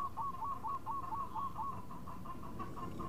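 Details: Local zebra dove singing in the khong style while calling to companions: a faint, quick run of hooked cooing notes, about two per second, over a steady low rumble of background noise.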